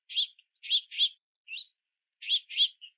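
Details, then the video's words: Young house finches begging at a feeder in rainy weather: quick pairs of scratchy chirps, a thinner single note in the middle, then another close pair. "Multiple Young House Finches In The Rain Begging For Food at The Feeder"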